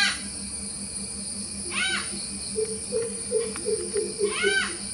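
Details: Malabar grey hornbills calling twice, brief raspy arched cackles a few seconds apart. A run of soft low notes in between, a steady shrill insect buzz and a faint low throb in the background.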